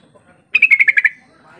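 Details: Yellow-vented bulbul giving a lure call to set mute birds calling back and forth: one quick bubbly run of seven chattering notes, slightly falling.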